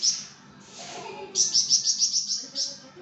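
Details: Pied fantail, known as flamboyan, singing energetically for songbird tutoring: a faint hissing sweep, then a steady series of about eight shrill, high chirps.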